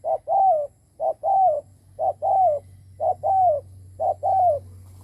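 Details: Cooing of a decoy spotted dove meant to provoke and attract wild birds. Regular low couplets, a short hoot and a longer descending coo, repeat five times in quick, even succession.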